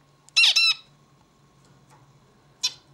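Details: Zebra finch (Taeniopygia guttata), song.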